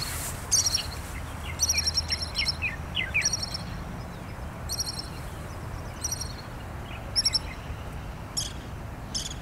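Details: A Pied kingfisher on Kinmen, where it frequents ponds, reservoirs and shoreline, calls in sharp, bright, high-pitched chattering bursts spaced about a second apart, some lower whistled notes mixed in early, over low background rumble.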